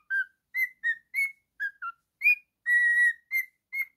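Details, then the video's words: Pet cockatiel, a male, whistles a lively melody of short notes that shift up and down, broken by one longer level whistle, in a quiet room. "Cockatiel singing and whistling"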